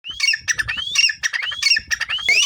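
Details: Two caged grey francolins kept by an owner, one perched on his hand or arm, calling when he blows a whistle. Loud, harsh, rising upslurred notes are repeated roughly every half second, each with a rough chattering edge.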